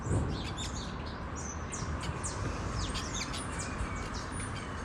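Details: Parakeets living free outdoors trade quick, high, overlapping chirps and short descending squawks, while a dense low rumble fills the background throughout.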